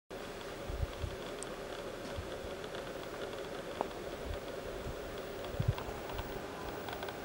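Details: A steady low hum with scattered soft taps and clicks, like handling or typing noise, and no animal calls.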